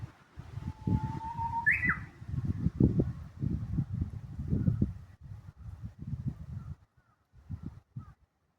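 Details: Japanese bush warbler song in Kashiwanoha Park, May 2025: a lower, steady whistle rises into a short, sharp flourish. Heavy low-pitched rumbling and rustling continue throughout.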